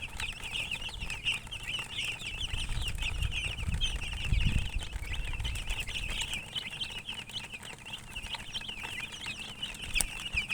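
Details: Chicken chicks peeping continuously, many quick high notes overlapping in a busy chatter, while soft low thumps like fluttering wings or movement swell midway through.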